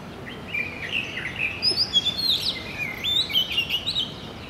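Oriental magpie-robin singing a varied run of clear, high whistles and short slurred notes, some rising and some falling, over a steady background hiss.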